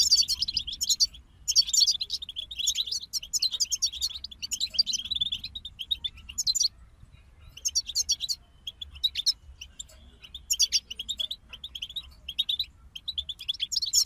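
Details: Several goldfinches deliver a lengthy, rapid stream of high, chattering, tinkling song phrases. Frequent short silences divide the bursts, with a near-quiet gap around the middle.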